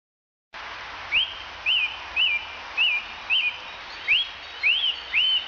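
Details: Song thrush in Central Europe, a bird known for its loud, varied spring song, giving a series of eight clear, high whistled notes, each an arched up-and-down slur, about two per second, the last few rising more sharply.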